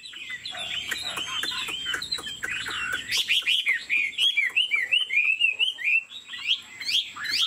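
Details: Chinese Hwamei in a cage, wings flicking and head nodding as it performs. Dense, warbled whistles give way to a string of rhythmic, rising-and-falling notes, with sharp clicks near the start.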